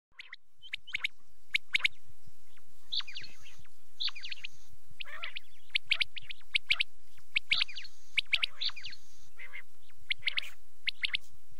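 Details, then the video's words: Quail calling at night, from a night-time quail calling tape: dense bursts of sharp, high chirps and short notes from several birds, in overlapping clusters with brief pauses and a faint steady hiss. "rat k liye batair ki awaz | quail calling"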